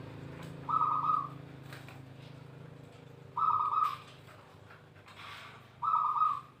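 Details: Zebra dove of local wild stock, recorded to prompt other doves to sing: three brief trilled, buzzy coos, each repeated about every two and a half seconds, over low background hum and faint clatter.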